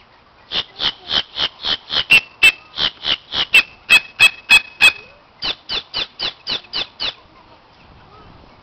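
A male boat-tailed grackle gives a fast run of harsh, raspy notes, about four per second, with sharp clacks and a thin whistle mid-series.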